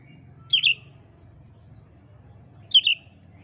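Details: Song of an Indonesian oriental magpie-robin, kept as training material for keepers: two quick bright double-note chirps about two seconds apart, a faint thin whistle between them, over a low constant hum.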